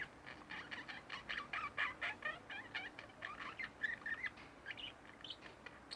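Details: Pet budgerigars, a pair kept at home, chattering quietly: a fast jumble of warbled, buzzy chirps and short rising whistles, varied and unrhythmic, at low volume.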